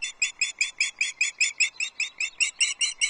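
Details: Osprey calling at a Loch Arkaig nest on 22 June 2024 during a fish handover, as the male delivers a small whole trout to the chicks. Loud, clipped, high chirps come in an even series of about two and a half per second.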